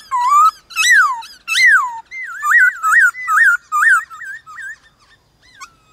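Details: White-cheeked laughingthrush duelling in song with wild birds one morning: loud arched whistles, then a rapid series of looping whistled notes fading toward the end.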